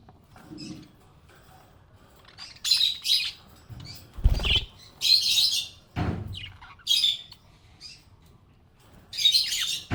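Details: Happy budgerigar giving repeated scratchy chirp bursts, with several dull thuds and low knocks between calls, likely from movement nearby.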